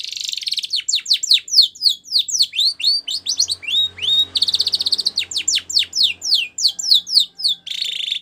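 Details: Young-canary training song from a white Spanish Timbrado canary: long runs of sharp downward sweeps at roughly four per second, broken by short buzzy trills.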